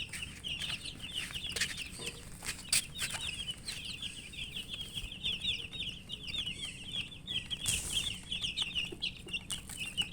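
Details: Chicken chicks peeping while eating: a dense chorus of high, short, downslurred cheeps repeated rapidly and overlapping throughout, with scattered pecking clicks and taps.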